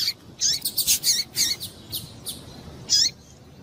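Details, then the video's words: Female double-collared seedeater calling to excite males and get them singing; a quick burst of high, thin chirps and short squeaky notes in the first half, then a lone sharp chirp near the end, over quiet background hiss. "Piado de Fêmea de Papa capim para Esquentar Papa capim"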